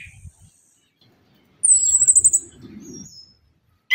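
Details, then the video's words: Orange-headed thrush lure song for coaxing silent birds: a single sustained, very high, rapid trill lasting about a second, framed by quiet gaps and a faint low rumble, ending with a sudden sharp note. "KICAUAN ANIS KEMBANG GACOR"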